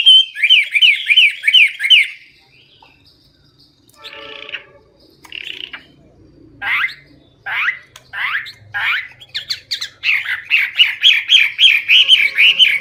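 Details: Hwamei singing a loud, clear, chatty song full of varied phrases: a rapid repeated trill, a short pause, then separate sweeping notes that build into another fast run of repeated high notes.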